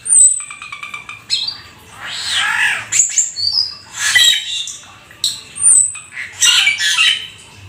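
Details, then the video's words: Rare Black-winged starling singing busily with a rich mixed repertoire: high thin whistles, a rasping nasal passage, then clear slurred notes and squeaky chatter in separate bursts with short pauses. "Jalak Keling gacor full isian"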